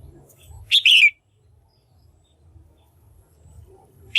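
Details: Caged female red-whiskered bulbul calling to stimulate males or for pairing: one short, loud, slurred phrase of two quick chirps falling in pitch, then near silence with low rumbling background, another call starting at the end.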